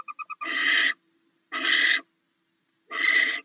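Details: Barn owl pair at the nest, where the male has brought rats during the night and the female stores them; the two share the food. Three quick soft notes lead into three harsh, broad hissing screeches, each about half a second long.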